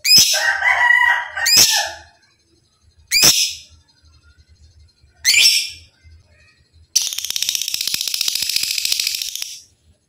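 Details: Kept lovebird, in training material aimed at ngekek long chatter and ngetik styles: sharp shrill calls give way to a sustained, buzzy rapid rattle lasting about three seconds at the end.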